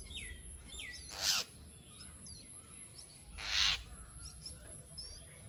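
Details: Jungle myna, known in Assamese as jhuti maina: two grating, broadband screeches about two seconds apart, separated by soft, thin, downslurred chirps and a steady low hum of background noise.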